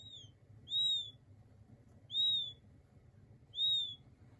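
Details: King quail chicks, described as soothing and calming: high thin whistled peeps, each a slightly rising then falling note, repeated about every one and a half seconds, over a faint low hum.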